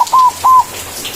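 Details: White zebra dove, a frequent singer with a big voice, giving manggung song used to call rivals: two clear, level whistled coos, each about a fifth of a second, separated by a brief pause in a quiet room.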